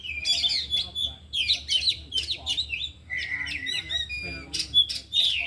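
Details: Oriental magpie-robins, four birds in an afternoon training session, all singing and showing off their learned repertoire. Bursts of whistled, chattering phrases with sharp high notes, broken by short pauses. Faint speech underneath.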